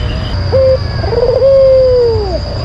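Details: Single phrase of a white collared dove lure song: a short flat note, then a long purring coo that starts with a rapid trill, holds level, and drops at the end. A faint steady hum sits behind it.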